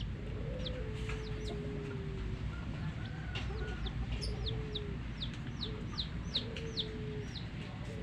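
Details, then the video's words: Coloured chicken chicks, several drinking together, give thin high peeps that fall sharply, repeated about every half second, over a steady low rumble with a few drawn-out lower tones and faint voices. "Hen Baby Chicks, Witty MURGI Baby "Chicks Chirping" Sound"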